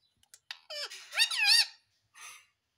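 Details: A pet Indian ringneck parrot gives a harsh, wavering squawk with rising and falling notes, led in by a few soft clicks and closed by a brief rasp.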